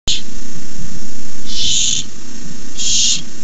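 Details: Barn owl begging at a nest camera as a rat is delivered, May 29, 2015: three harsh, hissing screech bursts, the first brief and the next two about half a second long, over a steady low hum.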